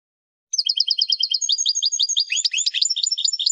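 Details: Goldfinch song meant to teach young birds: a lively, high, jingling series of rapid chips that grows more varied and tumbling in the second half, continuing without pause.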